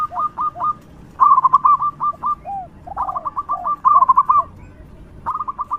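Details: Local zebra dove singing loudly to lure other doves: short bursts of quick, clipped, rolling coos separated by pauses, with softer, lower curved coos between them.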